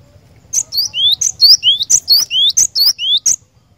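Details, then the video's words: Rapid cinereous tit song of chip-and-whistle pairs, high clipped note then a lower rising slurred whistle, repeated about six times in roughly three seconds with steady rhythm. "Kicauan Glatik Batu Gacor"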